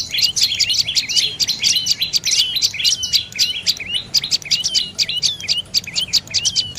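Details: High, sharp chirps from a dark-necked tailorbird come in rapid clusters, many with a short falling tail, continuing steadily throughout.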